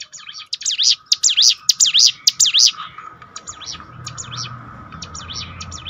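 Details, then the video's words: Bar-winged prinia song used as a training track to rebuild a downed bird's spirit: loud, sharp V-shaped chirps repeated about twice a second, then fading to faint notes after three seconds. "bikin ciblek gunung Ngetop || down mental bangkitkan lagi"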